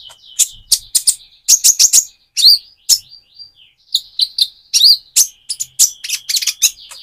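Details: Van Hasselt's sunbird, still spotted and moulting toward metallic plumage, singing to stimulate another bird; lively high twittering laced with thin level whistles and sharp chips, fast and nearly unbroken.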